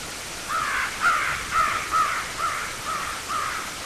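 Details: Bald eagles nesting 70 feet up in a white pine on the ocean shore of Hancock County, Maine, giving a series of thin, high chirping notes about two per second, slightly falling in strength, over a steady hiss.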